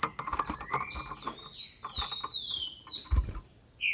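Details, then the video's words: Captive female green-winged saltator from Brazil, sound used to stir up males: a quick run of about eight high, sharply descending slurred notes, with a rising whistle early on and steady clicking and tapping noises throughout. "FÊMEA DE TRINCA FERRO para ENLOUQUECER seus trincas"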